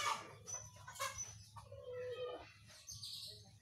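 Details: An agitated whistling thrush gives loud, clear whistled phrases, some slurred and some sharp, about one a second, over a low steady hum.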